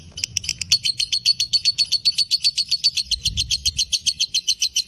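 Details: Breeding-condition fighter lovebird pouring out the long ngekek: a continuous quick string of shrill chattering notes, evenly paced, with a soft low thud in the background.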